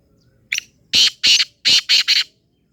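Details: Black francolin calling: a faint short note, then a rapid series of five loud, harsh, rasping notes in two bursts, the last three closely spaced, in an otherwise quiet setting.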